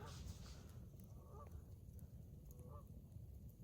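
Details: Distant Canada geese calling across open water at night in late March, nesting season for coastal birds; two soft, far-off honks a little over a second apart over steady low rumble.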